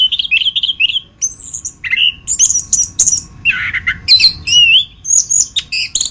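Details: Geokichla interpres singing a master song for training other songbirds: repeated warbling whistles, sweeping high notes and a low rasping burst, varied and continuous throughout.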